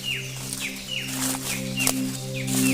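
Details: Various wild birds singing in the heart of the forest near Katanubongan Cave, Peru, Lasam, Cagayan: a high whistled note sliding downward, repeated about six times at short intervals over a steady, droning musical background.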